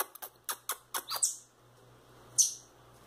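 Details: Rufous-bellied thrush fledglings let loose around a house: a quick run of short clicking ticks, then a shrill high squeak, and one more piercing chirp after a pause, over a soft low indoor hum.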